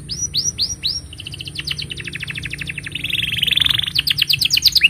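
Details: Singing canary, a long chattering song meant for tutoring young birds and coaxing mute canaries: four sweeping whistled notes, then rapid repeated trills, a dense buzzy rattle, and quick rising chirps at the close over a low background hum.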